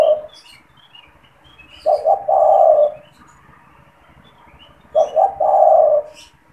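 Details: Caged spotted dove used as a calling lure for trapping and to stimulate other doves. Two soft, rhythmic coo phrases about three seconds apart, each a short note followed by a longer rolling one, with faint chirps of other birds.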